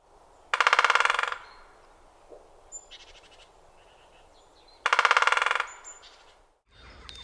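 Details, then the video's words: Great spotted woodpecker drumming, heard in March–April: two rapid, fading drum rolls, each under a second and about four seconds apart, with faint bird calls between them. "Yes, so again this time of year, so March April, you'll hear that drumming sound."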